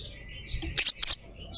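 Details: Female ruby-throated myzornis calling to a male. Two short, sharp, very high 'cret cret' notes sound in quick succession over quiet background.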